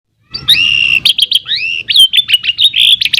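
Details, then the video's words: Canary singing a long, lively song: loud whistled notes, slurred glides and quick chirps run together without pause. "PANCINGAN KENARI GACOR PANJANG | CANARY SINGING"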